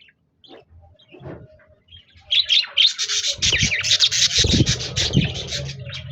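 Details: Parakeets, budgies, singing on 26 January 2024: a few soft calls, then a loud dense burst of fast, harsh chattering warble with rapid chirps and some lower thumping underneath.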